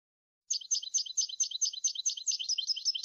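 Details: Goldfinch pouring out a continuous run of quick, slightly buzzy twittering notes repeated in a lively, somewhat uneven rhythm, high in pitch with a faint background hiss.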